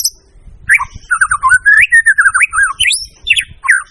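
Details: White-rumped shama in a rich, varied song of slurred whistled phrases, fast rising and falling notes strung together with brief high thin squeaks above, delivered almost continuously over a faint low background rumble.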